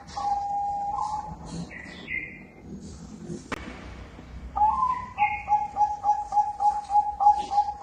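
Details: Bangkok-type zebra dove (perkutut) cooing: a sustained soft coo, then a rhythmic run of short clipped coo notes at a steady, rising pace; brief higher chirps from other birds and a sharp knock midway.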